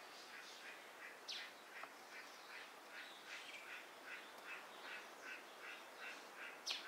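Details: Dusky thrush (Turdus naumanni eunomus) at Gaikotsu-yama on 27 January 2021, set over separately recorded ambient background. A steady run of soft, clipped chattering notes repeats about four times a second, broken by a few sharper high ticks.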